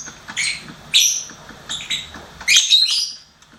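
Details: Indoor pet lovebird gives a few shrill, rasping chirps, ending in a louder squeaky burst.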